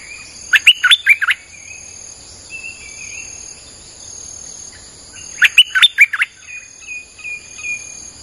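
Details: Streak-eared bulbul song used as a lure for wild birds: two bursts of five or six quick, liquid chirping notes about five seconds apart, with faint softer whistles and a constant high insect whine between them.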